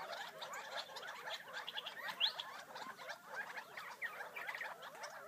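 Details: Gambel's quail feeding in the wild outside Florence, Arizona, giving a steady run of soft clucks and chips, plus one brief thin high note early on.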